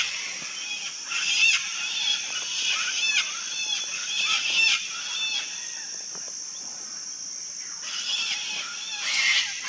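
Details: Wild colony of sulphur-crested cockatoos giving harsh, rasping shrieks that overlap in irregular bursts from many birds, over a steady high-pitched insect drone.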